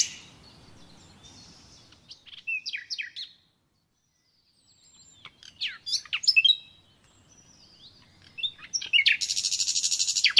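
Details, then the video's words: Common nightingale singing naturally: separated bursts of sharp chirps and steep descending whistled notes with short pauses, ending in a rapid, harsh, buzzing trill of fast repeated notes. "Doğal Bülbül Sesi Dinle"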